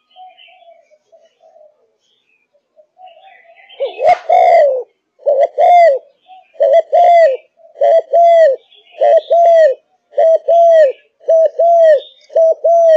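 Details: Malaysian spotted dove, a cage bird in full song, starts after a short pause and then coos steadily. Each phrase is a quick clipped note and a longer arched coo, repeated nearly every second, with faint background chirps.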